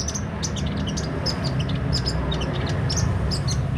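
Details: Sunbird (kolibri ninja) singing energetically: dense, jumbled series of high chirps and brief flicking notes at varied pitches, over a loud steady low hum.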